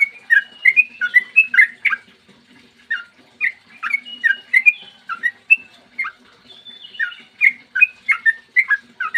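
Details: Long gacor ropel song of a Sooty-headed bulbul recorded in the morning as a lure to make other bulbuls sing: rapid, varied whistled notes in bursts with brief gaps, rising and falling, over a quiet hum.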